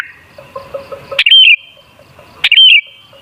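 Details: Sooty-headed bulbul song used as a lure to set other bulbuls singing: two loud, clear whistled phrases about a second apart, each a quick upward sweep falling into a trailing note, faint chirps beforehand.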